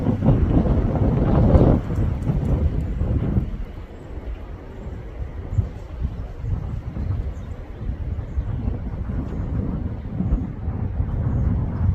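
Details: Low rumbling wind and vehicle-like noise with no animal sound heard.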